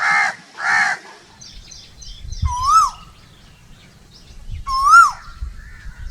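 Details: Crows calling loudly: two harsh caws in quick succession open the recording, then a quiet pause before another bird gives two rising, whistled calls a couple of seconds apart, over a soft low rumble.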